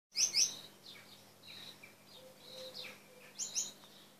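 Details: Male Gouldian finch, a caged bird, singing during its courtship dance: very high thin buzzy notes and hissing slurs, with faint whistles and a steady low hum in the room.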